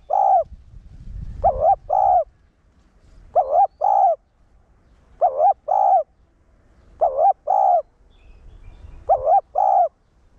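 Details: Spotted dove (cu gáy, cu đất) giving a one-ending (1 hậu) decoy coo meant to excite newly caught caged males: five paired low hollow coos, the first note dipping and the second steadier, repeated about every two seconds, with a soft low rumble early on.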